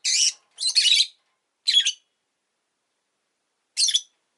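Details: A pet rosy-faced lovebird utters four rasping, high chirps, the first two close together and longer, then a single short one and, after a pause, another.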